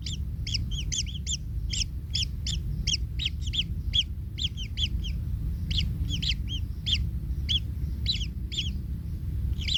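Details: Baby kingfishers in the nest, one hurt by the parent's trampling: quick, harsh, scratchy begging chirps in clusters and singles, irregular spacing, steady low background rumble.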